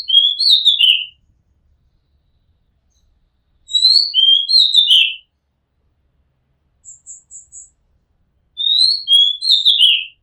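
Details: From a home rooftop, an Oriental magpie-robin repeats its whistled, falling, buzz-ended phrase three times at about four-second intervals, with a short series of high thin chips between phrases.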